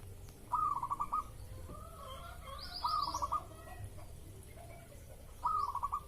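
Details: Zebra dove in breeding mood, played in the morning as a lure to provoke a response: three cooing phrases, each a quick run of stuttering beaded notes, spaced about two seconds apart, with faint higher chirps from another bird between them.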